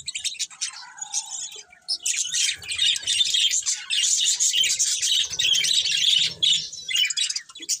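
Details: Several budgerigars chatter in a dense, continuous stream of high scratchy chirps and warbles, quieter for the first two seconds, then loud and unbroken, with a faint low hum underneath.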